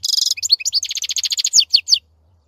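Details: European goldfinch in song: a fast, even trill of bright high notes, then rapid rhythmic twittering ending in three downslurred chirps.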